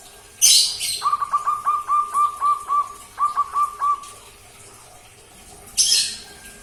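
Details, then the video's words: Young local barred dove, around two months old and kept since three weeks, learning to sing: a loud rustle, then about a dozen clipped mid-pitched coos in two quick bursts, followed by another rustling noise. "SUARA SI-JEH BELAJAR GACOR - PIYIK PERKUTUT LOKAL"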